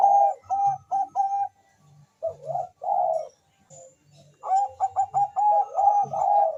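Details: Zebra dove of the Bangkok type, kept to rouse other doves' mating drive and singing, delivers repeated phrases of fast trilled coos that run into short throaty notes, broken by a brief pause.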